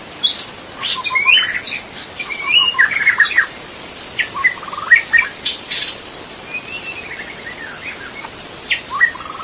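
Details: Wild magpie-robin singing in forest: varied clear whistled phrases, some rising, some falling, with short chattering notes, given in bursts every second or so over a steady high insect drone.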